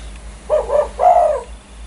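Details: Spotted dove, favoured for its frequent calling that sets off other birds: one phrase of two soft coos, the second longer and stronger, over quiet hum.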